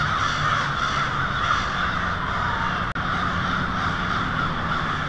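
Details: Hundreds, maybe thousands, of American crows gathering to roost on a residential street in Lansing, Michigan, on a February evening caw at once, a dense, unbroken wall of harsh overlapping calls over a low steady hum like distant traffic.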